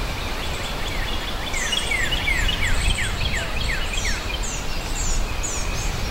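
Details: Northern cardinal, red-crested, seed-eating bird of dense shrubby areas, singing a run of clear down-slurred whistles, each sliding down quickly and repeated several times a second, with faint higher notes above and a steady low rumble of background noise.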